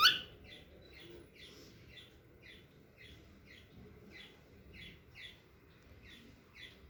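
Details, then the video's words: Small cockatiel walking for the first time indoors, giving soft, short high chirps repeated roughly every half second in a steady series, quiet against a faint low room hum. "small cocktail walking and making sounds"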